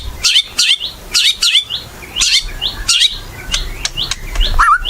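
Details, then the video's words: White-rumped shama singing actively (gacor), used as a lure recording to prompt other shamas to sing: quick series of short sharp notes and rising whistled slurs, ending in a lower warbled phrase, over faint low background hum. "Murai Batu Gacor | AMPUH buat PANCINGAN Murai Batu Agar Bunyi"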